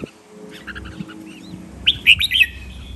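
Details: Red-whiskered bulbul training song in the len rik, nap dok, mae bot and lak wai styles. Faint soft notes lead into one loud, ringing phrase of quick whistles near the end.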